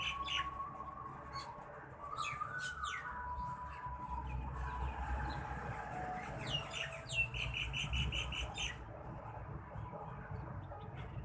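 Sparrows chirping in quick, bright bursts, several notes a second, over a steady low rumble of background noise.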